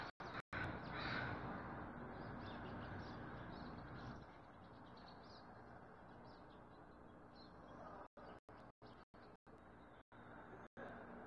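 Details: Crow recorded on 5 March 2022 at about 08:50, giving a few hoarse, harsh caws early on, then quieter stretches of steady background hiss and low rumble with faint distant sounds.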